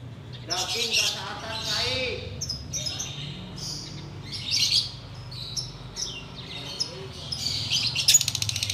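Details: Sooty-headed bulbul kept in a cage, heard in the hour before breaking the Ramadan fast: varied whistled phrases, slurred and warbling, with short high chirps and a closing rattle, over a soft low hum.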